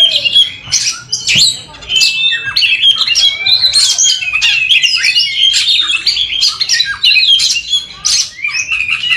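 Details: Kacer, the Oriental magpie-robin, singing continuously in the ngerol and nembak style: loud, dense, unbroken strings of sharp whistles, trills and harsh chattering notes with no pauses.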